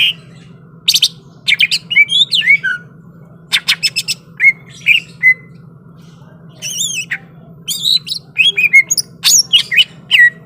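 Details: Greater green leafbird described as ready to fight, singing a varied burst of high whistled slurs, sharp chips and rasping squawks in clustered phrases with a short pause midway, over a steady low hum.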